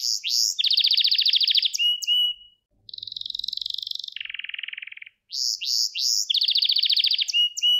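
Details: Gloster canary song used to train young birds and stimulate males: chirps and a dense buzzy trill, a pause, two lower buzzing rolls, then the trilling song returns.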